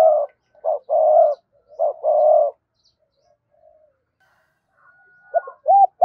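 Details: Spotted dove cooing in low, mellow hollow notes: short clipped coos followed by longer drawn-out purring phrases, a quiet gap, then another pair of coos at the end.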